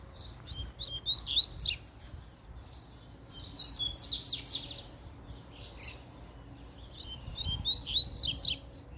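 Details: Double-collared seedeater singing excitedly after a female appeared: bursts of rapid, buzzy high twitters and sharp descending notes, in three phrases with short pauses between them.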